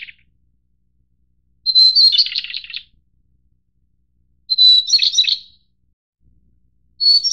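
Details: High, jumbled song phrases from a White-browed shortwing (Brachypteryx montana goodfellowi), a subspecies endemic to Taiwan's mountains; each starts with a clear sustained whistle before dissolving into quick descending twitters, repeated roughly every two and a half seconds, otherwise silent.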